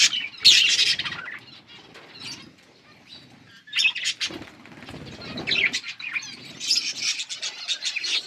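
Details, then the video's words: Yellow budgerigars chirping: scattered bursts of bright, warbling chatter with quieter gaps, including a soft stretch in the middle, plus faint low rustling. "Beautiful yellow budgies chirping sounds"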